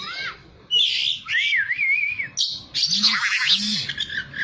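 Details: Oriental magpie-robin singing to provoke a caged bird into answering: varied whistled phrases, including a wavering warbled note, short downslurs and dense bright chatter, with a pair of low arched notes near the end.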